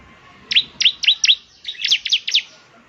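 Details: Caged bar-winged prinia song played to prompt another bird to sing: two quick runs of four sharp, high, down-slurred chirps, set against soft background hiss.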